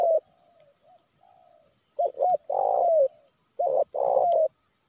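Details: A spotted dove's lure call for attracting wild doves in Indonesia. Faint, soft coos at first give way to loud stuttered double notes and long, rough coos sliding slightly downward, repeated twice.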